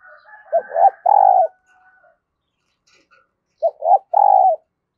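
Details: Spotted dove decoy cooing to call new wild birds: two three-part phrases, short note, swelling note, long hoot, with a thin whistle beneath the first.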